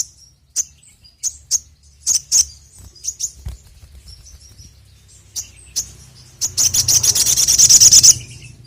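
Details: Ruby-cheeked sunbird, locally sogon or sogok ontong, used as a lure: sharp, very high chirps spaced about every half second, then a long accelerating rattle of high, thin notes near the end.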